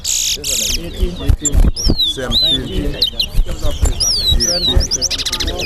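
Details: Chestnut-bellied seed finch, known as towa towa, singing at a bird singing competition at Guyana National Stadium, Guyana: clear high whistled notes sliding down, with looping phrases repeated through the clip over loud crowd chatter and background voices.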